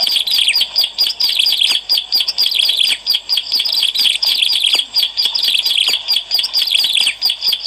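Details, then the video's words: Lure recording of singing Bar-winged prinia. A continuous torrent of shrill, rapid chirps forms rhythmic bursts throughout, with steady intensity and short breaks between phrases. "SUARA PEMIKAT CIBLEK ALANG-ALANG GACOR"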